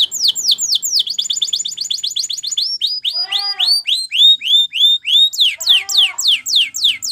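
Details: Canary song used for training, in the Spanish Timbrado style: rapid trills of repeated rising notes shifting to slower swooping upslurred whistles with lower harmonic tones, then back to fast trilling.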